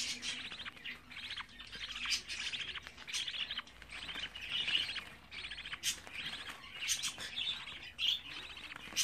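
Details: Young budgerigars, 24 days old, keeping up a steady stream of scratchy, trilling chatter mixed with sharp ticking clicks.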